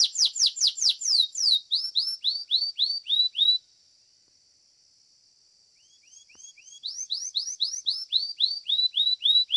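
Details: Competition song of a domestic Belgian canary: quick falling whistled sweeps turning into rising slurred notes, a two-second silence, then the rising whistles resume.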